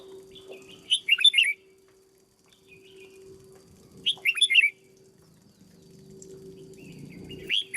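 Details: Caged red-whiskered bulbul being trained as a decoy bird: two brisk phrases about three seconds apart, each of five or six quick, bubbly whistled notes rising and falling, over a steady low hum with faint rustling at the end.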